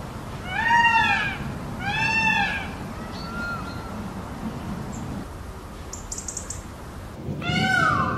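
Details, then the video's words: Indian peafowl calling: three loud, arched, wailing cries with strong harmonics. Two come close together near the start and the third follows after a long pause, with faint higher chirps in between. "o belo pavão e seu lindo canto"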